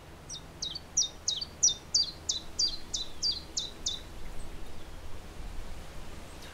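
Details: A chiffchaff sings its name in a hesitant, irregular run of about a dozen sharp, high two-part 'chiff-chaff' notes, slightly uneven in rhythm, then falls quiet against faint background hiss.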